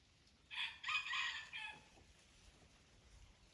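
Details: Aceh wild red junglefowl at Durung, Krueng Raya, giving one clear crow: a rough first note, then a longer, strained, slightly falling phrase ending in a short tail, against a quiet background.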